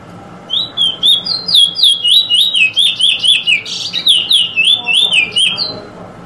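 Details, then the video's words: Eurasian bullfinch drawl and weet-drawl calls: a quick, continuous run of high, swooping whistled notes, about twenty in five seconds, over a faint low hum. "Bullfinch Drawl & Weet Drawl"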